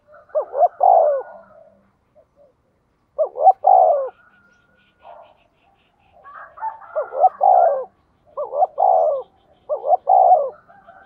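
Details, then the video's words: Decoy spotted dove pushed to sing rapidly so wild doves answer; repeated phrases of short paired notes and a long soft downward coo, with a fainter overlapping coo midway. "Chim Cu Mồi thúc tốc độ có kèm nghe cực hay, bổi nghe phát gáy luân"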